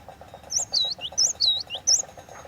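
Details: Cinereous tit, whistled lure song: crisp high notes each dropping into a curved lower whistle, about five phrases in quick rhythm, with a noticeable pulsing low hum underneath.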